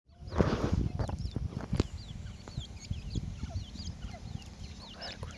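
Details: Francolin chicks (teetar) giving many thin, wavering peeps that rise and fall in quick succession, over a low rumbling background and a few knocks.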